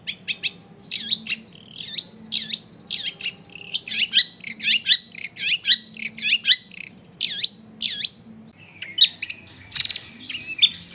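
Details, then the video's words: Long-tailed shrike lure song meant to set off other shrikes, recorded at a house in a dense neighbourhood: strongly downslurred whistled notes repeated quickly in a long run, over a pulsing low background hum. "SUARA CENDET GACOR PIKAT AMPUH BIKIN BURUNG CENDET LAIN LANGSUNG ON DENGAN MUDAH NYAUT GACOR DOR"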